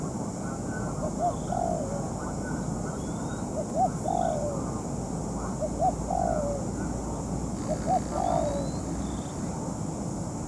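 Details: Molting spotted dove decoy used in trapping, calling against a wild male: a short double hoot followed by a longer falling coo, the phrase repeated about every two seconds over steady low rumbling background noise.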